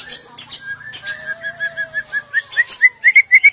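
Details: Female white-rumped shama song used to coax silent males into singing: a rapid series of short whistled notes, rising and growing louder, about four per second, over a faint steady lower whistle.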